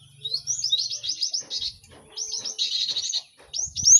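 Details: Cinereous tit, a busy chorus used to help caged birds learn song fast: bursts of high, quick, downslurred chirps packed into rapid rattling phrases, a short pause, then more dense twittering and a bright rising note at the end.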